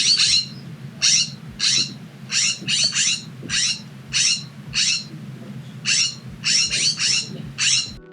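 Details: A California Scrub-Jay in California gives its raspy shriek calls, about a dozen in eight seconds, some in quick pairs or triplets, over a low steady rumble.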